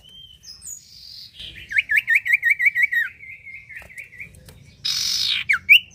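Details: Steadily singing common iora, used as a lure to get other birds singing: a rapid wavering trill of about a dozen notes running into a level whistle, then a harsh buzzy burst and two sharp upslurred notes.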